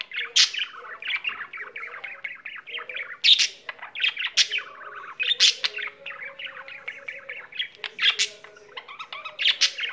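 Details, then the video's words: Domestic budgerigar singing at length: dense, scratchy chattering warble of clicks and shrill chirps, loud sharp accents every couple of seconds, no pauses. "Mirtillo, il cocorito canterino"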